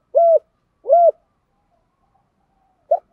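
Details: Spotted dove decoy call, male and female voices used to lure and provoke doves: two short hollow low coos, then a pause and the clipped start of a third note.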